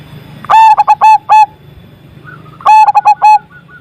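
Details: Zebra dove delivering a big-voiced song to coax stalled doves into singing: two rapid phrases of clipped, bubbling coos, about five notes each, two seconds apart, over a low background hum.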